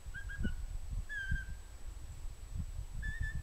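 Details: Pygmy owl uttering soft whistles: a quick cluster of short notes, then longer single whistles spaced about a second or two apart, over a low steady rumble.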